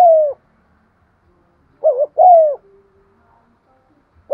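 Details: Captive lure spotted dove cooing to stimulate other doves, a methodical 'giọng son' voice: a low, smooth descending coo, then a quick wavering double note and another long falling coo, with clean silence between phrases.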